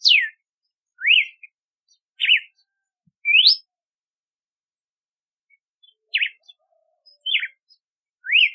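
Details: Red-cowled cardinal song: clear whistled notes about once a second, alternating sharply falling slurs, rising upslurs and quick zigzag phrases, separated by short pauses, with a longer gap mid-phrase; no other sounds.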